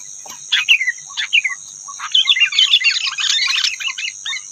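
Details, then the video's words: Wild rufous-tailed robin singing against caged birds: a few separate sharp chirps open, then a dense, fast run of bright twittering notes, under a constant high ringing hum. "Rufous-tailed robin Birds,Outer birds compete with birds in cages"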